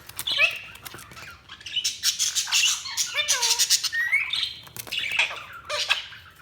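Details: Budgies chattering in a mix of scratchy squawks, short rising whistles and a low slurred note, with overlapping bursts of noisy chatter from several birds.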